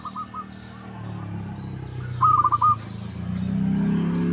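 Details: Local zebra dove lure call used to provoke an answering rival: faint trilled cooing at the start, then a loud, rapid stuttering coo phrase, over a steady low rumble and high buzzing background.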